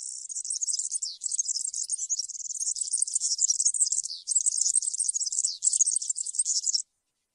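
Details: European serin singing 'campero' style, used to teach young serins their song: a dense, high, rattling jingle of tiny notes, delivered almost without pause for nearly seven seconds, on a quiet background.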